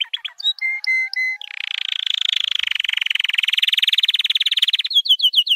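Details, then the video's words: White canary training song: whistled notes, then a long fast buzzy trill that rises slightly in pitch for over three seconds, ending in quick repeated chirps; no other sounds. "White Canary 12h Singing - The Best Training Song"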